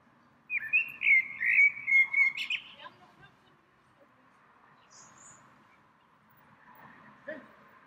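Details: A single small bird singing in a tree in spring, a daily visitor there several times a day: a melodious, fluttering warbled phrase of about two seconds, then near silence with a faint distant note.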